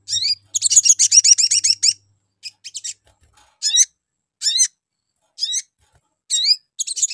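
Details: Lure call of a sogon: an opening run of fast, rattling high notes, then single upward-swept chirps every second or so. It is used to make other birds respond.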